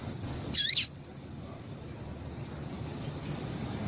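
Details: Female Double-collared seedeater giving a quick double chip, the notes high and downward-slurred, meant to stimulate males; afterward only soft hiss remains.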